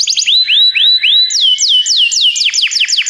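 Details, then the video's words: Canary song used to stimulate a pet canary to sing: quick series of bright, rising-and-falling whistled notes. Slower upswept notes give way to faster downswept notes, all high-pitched and unbroken, with no other sounds. "seu canário vai cantar muito"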